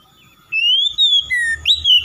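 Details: Oriental magpie-robin (kacer) song for rousing lazy birds. A single phrase of clear whistles climbs, holds, dips lower, then jumps to a sharp high note, over a soft low hum.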